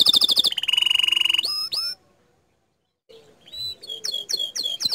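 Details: Gacor-style canary song: a fast high trill shifting into a steady buzzy rattle, a couple of swooping notes, a second of silence, then renewed sharp chirps.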